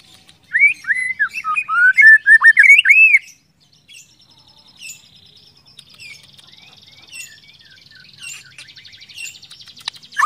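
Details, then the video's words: White-rumped shama (murai batu) singing to trigger other shamas: one long run of fast, looping whistled notes, then a high steady insect-like trill and scattered faint chips. "pancingan murai batu agar cepat gacor ngeplong"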